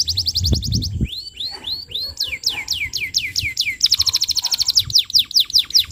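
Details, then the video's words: Canary in full song, used as a lure for tutoring young canaries: a fast trill, slow rising whistles, a row of ringing downslurs, then a rapid rattling tour and sharp notes, with a low thump early on. "Suara Pancingan Kenari Gacor, Cocok Untuk Materan Paud Kenari"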